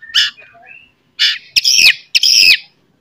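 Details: White-rumped shama morning song intended to make other shamas combative: four harsh, scratchy notes, the last two longer and falling in pitch, separated by short silences.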